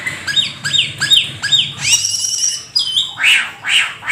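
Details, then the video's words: Energetic 'gacor full isian' song of the rare Black-winged starling: four to five rapidly repeated squawky notes with descending overtones, a drawn buzzy phrase, then loud rough chattering bursts. "Jalak Keling gacor full isian"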